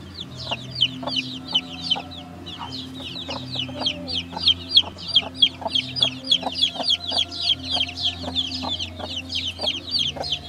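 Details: Baby chicks peeping in a steady stream of thin, high, downslurred peeps, roughly three or four a second, over a low continuous hum.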